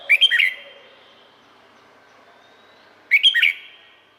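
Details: Two quick chattering-warbled phrases from a Red-whiskered bulbul in Thailand, a popular cage bird, sung roughly three seconds apart with a near-silent gap between them.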